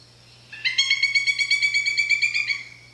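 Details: A Pileated Woodpecker gives its short outburst call, a ringing run of about a dozen quick, even notes over two seconds, bright and slightly nasal, similar to a Northern Flicker's longer call. Nothing else is heard.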